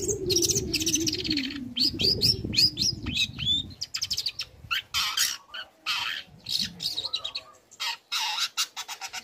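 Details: {'caption': 'Young long-tailed shrike in lively song, used as a lure to stir other shrikes into singing: rapid, varied high chirps, trills and scratchy notes in quick bursts, with a low rumbling background early on.'}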